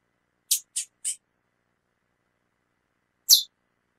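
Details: Female chestnut-bellied seed finch calling repeatedly: three quick, sharp, high-pitched chips in close succession, a pause of about two seconds, then one more bright chip, with silence around the notes.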